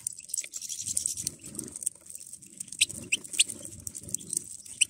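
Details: A flock of European goldfinches squabbling at a feeder: rapid, thin, high twittering notes with sharp chip-like strokes, dense and overlapping throughout, over a soft low rumble.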